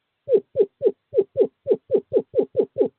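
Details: Male screech owl calling a female to owl box 5 in courting season, 2/11/2023: about a dozen short, hollow hooting notes, each dropping slightly in pitch, evenly repeated roughly four per second in a quiet setting.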